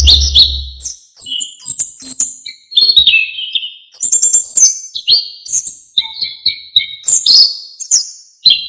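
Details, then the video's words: Orange-headed thrush in lively, varied song, used as a master for training songbirds. After an opening low rumble, a steady flow of high, sharp chirps and whistles continues, with phrases repeating about every second. "KICAUAN ANIS KEMBANG GACOR FULL ISIAN"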